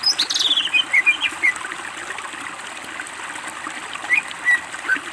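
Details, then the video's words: Greater green leafbird in gacor singing, a master recording meant for training birds: a quick descending chain of sharp whistled notes, then scattered high chips and short whistles over steady hiss. "masteran cucak ijo gacor BONGKAR ISIAN"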